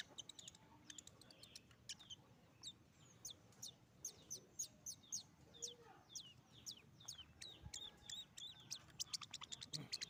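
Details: Immature long-tailed shrike still learning its song, which remains rough: a long, fairly quiet sequence of thin, high, downward-flicking ticks given singly and in loose runs, with faint low background noise throughout.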